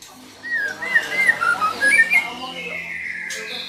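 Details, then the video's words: Female white-rumped shama calling to lure a male into song: a run of quick warbled whistles bending up and down, about three notes a second, fading into a thin sustained tone. "Suara murai betina memancing murai jantan gacor"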